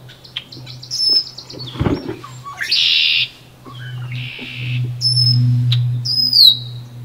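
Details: In a nest box in late May, an incubating wood duck gives harsh, buzzy squeals about a second apart. Sharp high whistles slide downward in between, over a thud and a steady low hum.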